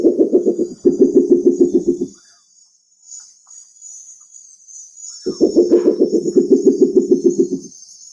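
Spectacled owl giving two low, rapid knocking series, each a run of hollow pops lasting about two seconds, over a steady high insect hiss.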